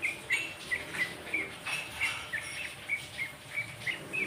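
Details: Sooty-headed bulbul, known locally as kerocokan, bejog or jogjog, giving a lively run of quick chirped notes, roughly three or four per second, with brief soft flutters between them and low rural background hiss.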